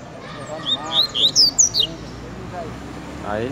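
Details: Coleiro song: a quick burst of about six high, sharp whistled notes in under a second and a half, bright and slurred, followed by quiet room noise and a man's voice.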